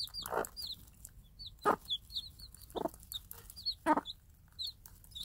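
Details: Mother game hen with day-old chicks, free range, calling them to food; low clucks repeated about once a second, with high rising chick peeps in between.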